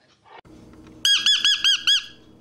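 A parrot gives five loud, ringing squawks in quick succession, each arched and nasal, after a voice briefly says the bird's name.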